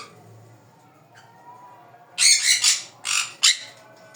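Sun conure chicks give harsh, raspy squawks, a burst of three or four rough screeches over about two seconds, with quiet background in between.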